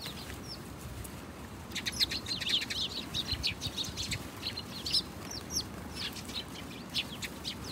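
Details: House sparrow chirping, sparse at first, then a busy run of sharp, overlapping chirps from about two seconds on, set against constant low background noise.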